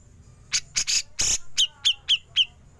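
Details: Grey-cheeked bulbul in a songbird-training recording, besetan continuing into ngepik: four coarse, scratchy rasps of varying length, then four clean, sharp downward 'pik' notes evenly spaced about a quarter second apart.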